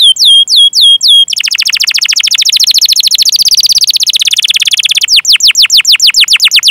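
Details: Canary song used as a training recording to stimulate other canaries to sing: sharp descending whistled notes, then a rapid buzzy trill of dense repeated notes, ending in a series of clear downward-sweeping chirps.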